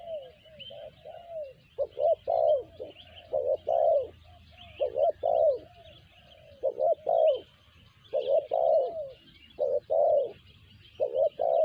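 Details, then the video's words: Spotted dove, locally tekukur, voicing its sanji call: mellow cooing phrases of short notes ending in a longer drawn coo, repeated in close succession beneath a constant wash of high chirping birds. "Tekukur BL suara sanji"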